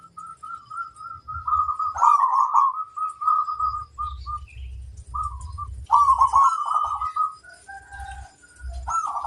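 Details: Local zebra dove in full song: a long run of fast, even, trilled cooing notes, broken into phrases with short pauses, then a rolling burst and a final trill, with soft low rumbling underneath.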